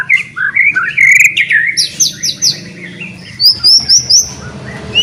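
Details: A white-rumped shama in full, energetic song, meant to coax quiet shamas into singing: varied whistled phrases, buzzy slurred notes, then a run of four high rising whistles and a final upslurred note.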